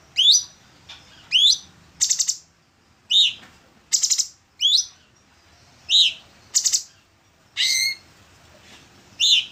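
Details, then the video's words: Orange-bellied leafbird, known locally as cucak cungkok, recorded to train other songbirds: varied bright whistled slurs mixed with brief buzzy chips, delivered in quick, irregularly spaced phrases. "Pancingan burung Cucak cungkok / orange-bellied leafbird"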